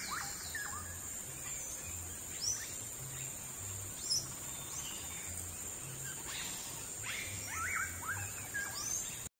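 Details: Glittering-throated emerald at Caño Bujana, Orinoco Delta, Venezuela, 11 August 2013, giving scattered short, sharp chips and thin twittery notes over a steady high insect drone and low hum.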